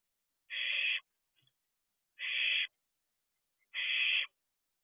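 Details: Nestling barn owl looking around outside an owl box, 4:31 am, 6/2/23. Three steady, evenly spaced hissing screeches, roughly one every one and a half seconds, with faint clicks in between.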